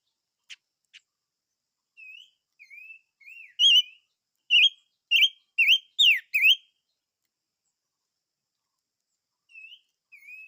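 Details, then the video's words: Chim ngũ sắc song: soft, gliding whistles build into a burst of five loud, bright whistled phrases with wavering slurs, then a long silence before two faint whistles return. "Chim Ngũ Sắc Hót - tiếng chim ngũ sắc hót"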